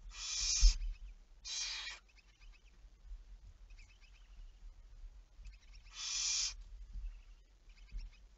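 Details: Barn owl on 11 May 2019 at 23:34 calling with three short rasping screeches, two in quick succession and one after a pause, over a soft outdoor background with faint knocks.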